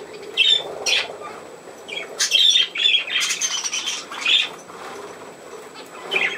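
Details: On 27 August 2024, pet budgerigars at play utter uneven bursts of raspy, buzzy chatter mixed with brief high squeaks, loudest through the middle seconds.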